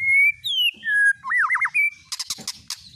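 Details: White-rumped shama lure song used to provoke singing: clear whistled notes, a sliding descending whistle, a rapid looping warble around mid pitch, then sharp high chips and rattles.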